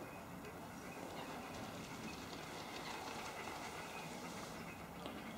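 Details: Steady broadband rushing noise with faint clicking and a constant low hum, with no animal voice.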